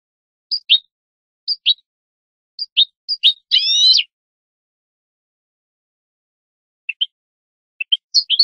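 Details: European goldfinch on a song-teaching recording for young birds: spaced pairs of sharp chirps, one drawn-out buzzy nasal note, a pause, then scattered high twitters.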